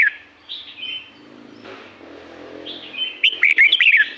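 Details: Red-whiskered bulbul from La-U forest, Thailand, singing in nature; short warbled whistles, then a louder burst of bubbly, falling liquid notes near the end, over a faint low hum.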